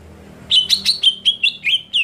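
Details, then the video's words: Greater green leafbird scream meant to rile other leafbirds. After a half-second pause comes a string of about nine quick, piercing chips, some slurred downward, delivered in an uneven rapid rhythm. "JERITAN CUCAK IJO BIKIN EMOSI IJO LAIN"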